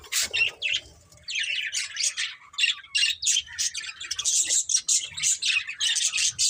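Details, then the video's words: Pair of breeding budgerigars chirping: a few sharp notes, then a steady run of short buzzy chirps repeated several times per second, growing denser toward the end. "Beautiful Budgies Chirping Sounds"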